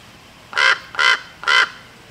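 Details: Female common raven calling to defend her territory, recorded 24 August 2023: three loud, harsh, hoarse croaks about half a second apart, each evenly held, over a quiet background.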